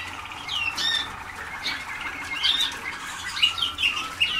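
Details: Canaries of the Waterslager breed, young birds only days into song schooling in 2010: scattered chirps and short squeaky slurs building toward brighter, sharper notes near the end.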